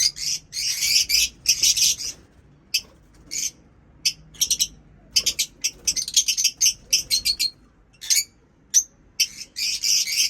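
Lovebirds chatter in harsh, high, buzzy chirps, with quick bursts of rasping notes broken by short pauses throughout.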